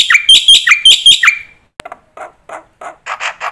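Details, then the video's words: Black-winged myna master song meant to teach young mynas filler phrases: loud descending buzzy chirps in a quick run, then quieter scattered notes and a soft rasping series. "suara pancingan burung jalak putih gacor full isian masternya bikin jalak muda cepat bongkar isian"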